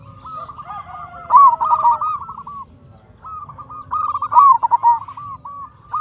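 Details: Energetic local zebra dove song used to lure and provoke other zebra doves: two long phrases of rapid wavering coos, each swelling to a loud accented burst in the middle, with a faint low hum underneath.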